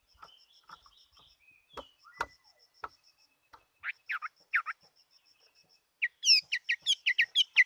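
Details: Chinese hwamei, a fighting bird, singing: scattered short notes, then loud upslurred whistles and a fast run of bright, rising, repeated notes near the end, with a faint steady high ticking behind.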